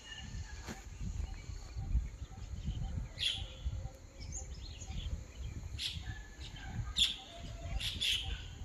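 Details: Small birds calling in the morning: short, bright chirps in scattered bursts of one or two notes, separated by pauses of about a second, over a steady low rumble of background noise.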